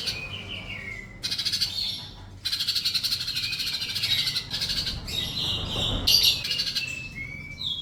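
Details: Sunbird song played so that silent birds reply: a thin downward whistle, then long, fast, high-pitched buzzy trilling phrases broken by brief pauses, ending in another sliding whistle.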